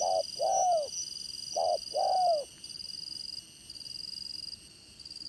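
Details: Spotted dove decoy used for trapping in the dán cổ style, with a voice of the Đồng Son type: two low cooing phrases, each a short note followed by a longer slurred note falling at the end, then quiet, over a steady high whine.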